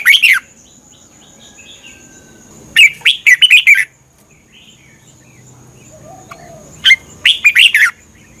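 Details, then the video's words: Caged Red-whiskered bulbul from Thailand, song for training birds or exciting them; three short bubbling warbled phrases separated by long quiet gaps, each phrase a quick cluster of liquid rising notes, a steady faint high tone throughout. "เสียงนกกรงหัวจุก สำหรับต่อ หรือ เปิดให้นกคึก เสียงเพราะๆ"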